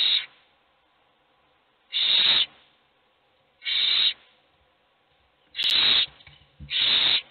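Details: Owl chicks begging with hunger as only one is fed: five harsh hissing screeches at irregular spacing, the last two closer together, with faint nest rustling.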